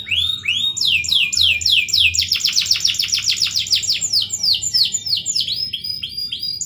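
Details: Canary (kenari) in full 'gacor' singing, melodious 'cengkok merdu' style: rapid series of high, clean downslurred notes repeated about three to four per second, speeding into a dense trill then slowing again; faint low hum behind.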